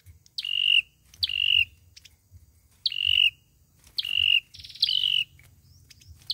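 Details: A fighting song from an olive-backed sunbird, used for luring in trapping. Clear high whistles, each starting with a sharp upward flick and then levelling out, come in quick succession, six in about six seconds.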